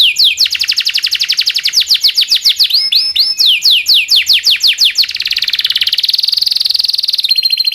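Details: Local canary with long rolling song, used to tutor oriental magpie-robins, white-rumped shamas and green leafbirds; rapid descending trills, brief looped whistles, then a sustained high buzzy roll near the end.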